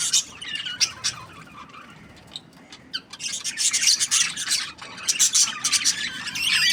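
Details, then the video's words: Budgies start with scattered sharp chirps, fall nearly quiet for a moment, then burst into a loud, raspy stream of squawking chatter. "Budgies Parrot chirping sound | parakeet sounds"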